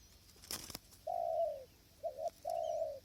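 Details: Spotted dove used in decoy trapping with a trap enclosure on a windy day, wild doves far off: mid-pitched hoarse coos, a short doubled note then long sustained falling coos, after a sharp broadband click.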